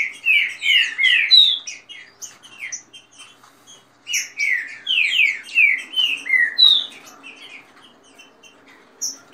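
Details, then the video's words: Fast rain-style song of caged green-winged saltators competing, mixed with female calls. Two bursts of rapid, rich downslurred whistles, each roughly two seconds long, are separated by a pause, with sharp high chips sprinkled between. "trinca ferro canto rápido com macheado de fêmea e canto de chuva"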